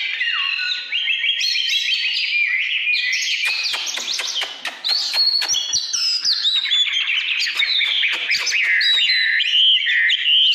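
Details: Oriental magpie-robin in full song: fluid whistled phrases, then a fast run of rattling, chattering notes, then more rich warbling whistles with sliding pitch, loud and close.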